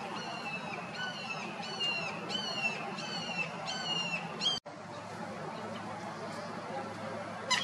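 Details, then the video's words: Common Gallinule in Florida giving a rapid series of about ten harsh, descending, clucking notes in quick bursts for over four seconds, followed by quieter background hiss. "Gallinule d'Amérique, cri / Common Gallinule, call"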